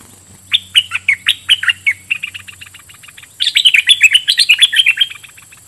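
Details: Bulbul used as a decoy for wild birds, delivering a rapid series of sharp falling whistled notes that speed into a dense chattering run, over a steady high electronic whine.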